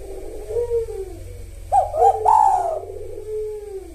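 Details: Spotted dove kuk satu song in the sahur rhythm, meant to draw silent doves into song: a soft low coo, then a brisk double note and a louder prolonged coo, trailing into a quiet falling note.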